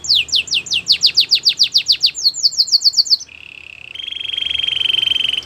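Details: A Belgian canary sings for training, pouring out fast downswept notes, then a short higher run, then a long even buzzing roll that swells in loudness.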